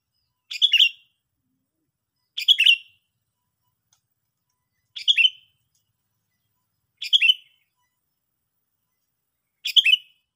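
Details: Sooty-headed bulbul repeating a brief chortling phrase five times at roughly two-second intervals, each a rapid burst of gurgling notes with a falling whistled tail, in a quiet setting.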